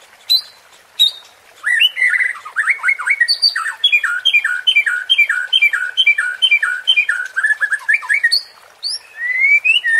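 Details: White-rumped shama (murai batu) provoking sound to excite competing birds: rapid harsh chattering notes repeated over several seconds, with occasional high whistles at the start and a rising whistle at the end.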